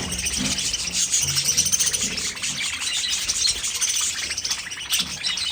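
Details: Pet budgerigars chattering: high buzzy warbles and quick chirps run without a break, with short clear whistled notes standing out in the middle and a few lower murmuring sounds underneath.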